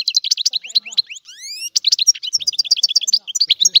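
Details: Sicilian goldfinch's old-style song: continuous bright twittering, a rising series of clear slurred whistles midway, then dense quick chirps and trills.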